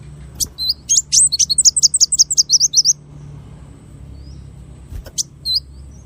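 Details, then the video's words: Small bird masteran, tembakan style. A quick burst of high, thin, chattering twisted notes lasts about two seconds, then quiet, then a few scattered high chirps near the end. "MASTERAN BURUNG KECIL FULL TEMBAKAN VARIASI MEWAH"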